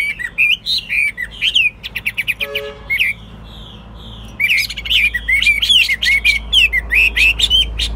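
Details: Chinese hwamei in a cage, a bird kept for singing and fighting, pours out rich looping whistles, pauses mid-clip amid a few clicks and a soft low tone, then resumes a rapid, varied whistled stream.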